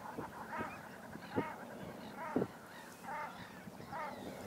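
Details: Fighting Common Shelducks during the breeding season, squabbling when too near one another: hoarse, honking notes repeated about once a second, with two louder, harsher outbursts among quieter overlapping calls.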